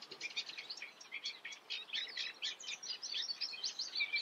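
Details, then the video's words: Eurasian reed warbler from the Eifel delivering a continuous scratchy, chattering song of rapid jerky notes, high and grating, with barely a pause across the phrase. "Teichrohrsänger (Acrocephalus scirpaceus), Eurasian reed warbler"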